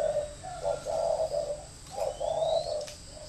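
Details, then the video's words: Spotted dove kept as a decoy bird in northern Vietnam, giving low cooing phrases of several soft hooted notes in two bursts, with faint high chirps from other birds in the background. "Thổ mổ còi - Còi coi thường Thổ"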